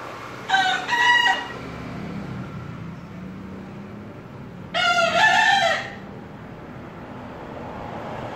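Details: Bekisar chicken, described as a prospective contest champion, gives two short crows about four seconds apart. Each is a bright, harmonic, split crow lasting about a second over a steady low background hum.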